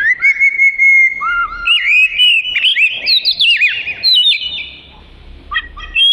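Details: Oriental magpie-robin singing loudly as fill material for training other birds: a long steady whistle, then a lower note and a burst of quick slurred, warbling whistles, followed by a brief quiet spell and a few last sharp notes.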